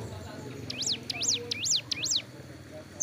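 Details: Hill prinia, moulting its wings and sunning by a road, delivers a quick burst of four rising-and-falling high notes in under two seconds against a low background hum.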